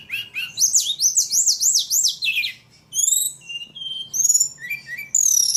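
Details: A ledekan delivers a run of looping, rising-and-falling high whistles repeated in quick succession, then varied buzzy trills and a long descending whistle at the end.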